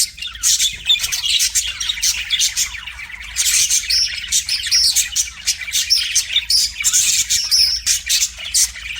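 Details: Pet budgerigar singing to a mirror: continuous high chattering warble of rapid chirps, clicks and short whistled notes, dense and scratchy, with brief pauses near one and three seconds, no other clear sounds.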